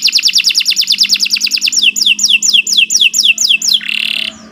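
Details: Canary song used as training master: a rapid rolling trill of short notes, then slower repeated downward-slurred whistles about five per second, ending in a brief harsh buzzy burst.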